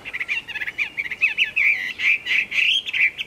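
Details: Late-afternoon song of a Chinese hwamei, recorded 15 April 2024: a rapid, continuous run of varied warbled whistles, bubbling and slightly rising toward the end, without pause.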